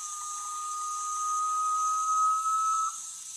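A Garnet pitta gives one long, steady, mellow whistle lasting about three seconds, swelling slightly and rising at the end, over a constant high insect hiss.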